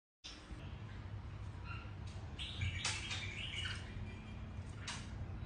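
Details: Mutant red-whiskered bulbul with platinum-white patches: a short burst of warbled, wavering whistles in the middle, with a few sharp chirps before and after, over a steady low hum.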